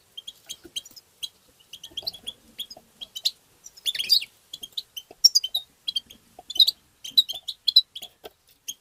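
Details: European goldfinch 'tabta' song for stimulating goldfinches: continuous busy twittering of high, bright notes, with louder bursts in the middle and at the end.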